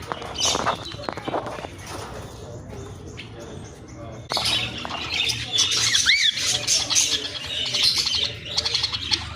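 A cockatiel gives scratchy chirps and a brief rising-then-falling whistle, with faint voices nearby.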